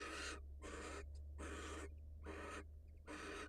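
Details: Wild barn owl female leaving the nest to greet her mate: harsh, broadband hissing bursts, five in under four seconds, each about a third of a second long, over a steady low hum.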